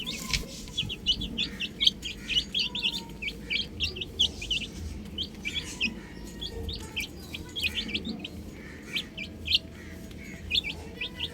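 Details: Chicken chicks at play on a roof give lively, high, falling peeps, bunched in busy spells and sparser stretches, from many birds at once.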